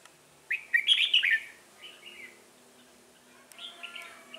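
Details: Red-whiskered bulbul singing during trapping with a decoy bird: a loud burst of bright warbled notes near the start, then softer short phrases and a faint trailing phrase.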